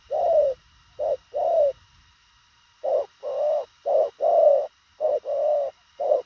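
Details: Rapid spotted dove cooing, short and to the point: deep mellow notes alternating brief and longer sustained coos, with a pause after the opening three and then a steady run of paired notes.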